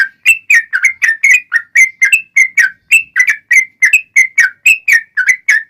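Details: Yellow-vented bulbul long 'ropel' lure song for provoking rival bulbuls to sing: continuous bubbling whistled notes, about four per second, each slurred up or down, clean with almost no background.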